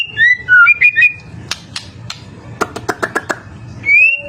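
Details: White-rumped shama song meant to make other murai batu reply: a few twisting whistled notes, then a series of loud dry clicks and rattles, closing with a rising whistle over a soft background hum.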